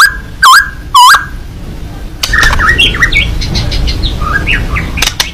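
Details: White-rumped shama, a fighting bird singing with open beak: two loud, harsh looping squawks, then a run of varied short whistled and chattering phrases over background rumble.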